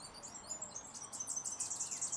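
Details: A Superb Fairywren in dense border scrub at Victoria Park/Barrambin, Brisbane, gives very high, thin twittering notes in quick bursts that grow louder toward the end, over faint background noise.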